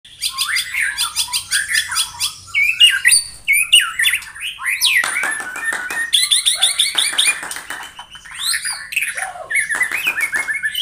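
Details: Morning song of a white-rumped shama, played to rouse rival birds into singing: a dense, rich, nonstop stream of varied whistles, harsh chatters and rapid trills, loud and changing constantly.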